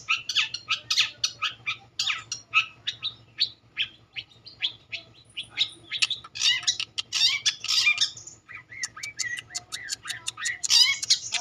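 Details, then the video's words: Long-tailed shrike in long continuous song of rapid, high, scratchy chirps and twittering notes that speed into dense bursts toward the end. A faint low hum sits beneath. "Burung cendet Emir bernyanyi"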